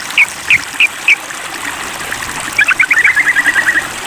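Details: Sooty-headed bulbul calling a rival in a mental test: four separate sharp upslurred notes, then a quick descending run of chattering notes, over a steady watery hiss.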